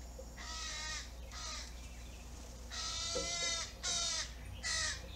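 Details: Hungry fledgling crow demanding food: loud, harsh, raspy calls with a nasal ring, given in separate bursts about a second apart, with the last three louder and shorter, over a low steady hum.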